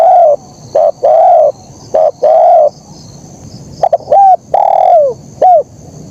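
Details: Spotted dove, locally terkukur, in the kuk 1 song: three steady short-then-long coo phrases, a pause, then faster notes ending in coos that slur downward, over faint background hiss.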